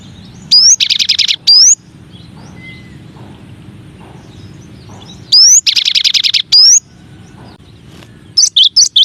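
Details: Gelatik batu or gelatik wingko, the cinereous tit, singing for masteran practice among nine variants; rising whistled slides framing fast buzzy trill bursts, repeated after a quiet gap, ending with a few sharp chirps.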